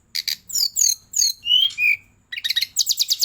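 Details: Brown-chested jungle flycatcher from Bali singing loud falling whistled slurs, each lower than the last, followed by a rapid series of buzzy, rattling high notes.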